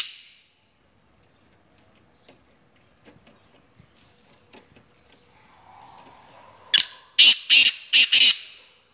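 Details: Black francolin (kala teetar) calling, presented as a fast 'speeder' caller: faint ticks and a soft hum first, then a rapid burst of four or five loud, rasping, broadband notes close together.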